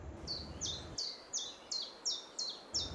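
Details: Common chiffchaff (Phylloscopus collybita) song: clear, high notes alternating up and down, about three per second, in a steady see-saw 'chiff-chaff' rhythm like a wiper, over faint background hiss.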